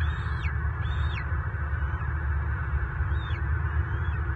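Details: Bald eagles fighting in southwest Florida on March 24, 2023, an adult intruder locking talons with the nest's male; two clear high piping notes with falling ends, then fainter, more distant notes, over steady low rumble.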